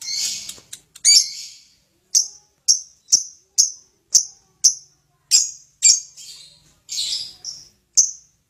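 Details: Lovebird giving a series of separate sharp, high chirps, roughly one every half second, some slightly buzzy, with brief gaps of quiet between them.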